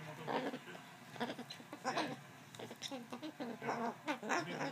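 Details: A pet male umbrella cockatoo indoors scolds its owner after failing to beat her shoe. Its chattering, nasal bleats and squawks come in quick, uneven bursts, mixed with some nearby human talk.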